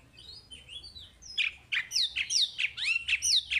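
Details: Chinese hwamei song used to draw out untrained hwamei: soft whistles at first, then a loud, varied burst of sharp slurred notes and rising whistles over faint background hum.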